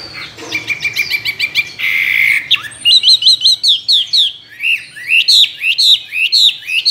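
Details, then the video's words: Caged Chinese hwamei, tame after two years, a good competition singer with many forest voices. A rapid chattering run and a harsh burst lead into loud, repeated whistled notes that rise and then drop, delivered in quick, rhythmic series. "Họa mi thuần nhiều giọng rừng,chim đấu hót tốt"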